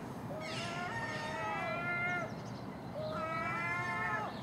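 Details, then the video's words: Common gulls making a racket in the early morning while feeding on garbage at a house, among a magpie and crows: two long, plaintive mewing wails, each about two seconds, with faint rough calls behind them. "Common Gull Magpie and Crow making noise at early morning"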